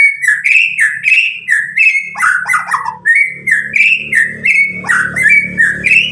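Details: Medan white-rumped shama about nine months old, newly out of spotted plumage, singing to encourage young birds; rhythmic whistled phrases repeat roughly every half second over a low steady background hum.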